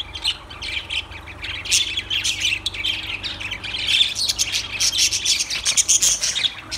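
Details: Lovebirds giving harsh, high squawks mixed with thin chirps, a continuous noisy chatter that grows denser toward the end.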